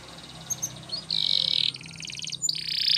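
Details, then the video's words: Belgian canary singing over a noisy background with a low hum: scattered faint chirps, then a long buzzy note, a rapid pulsed trill and another buzzy burst near the top of the range. "Nature Birds Sound Of Canary | Belgian Canary Singing"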